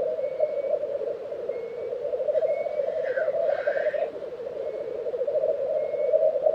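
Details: At a Swedish lek in Tiveden, April 2023, black grouse bubble continuously in a low murmuring drone, one harsh hissing whoosh at mid-clip and brief high whistles repeating from another species.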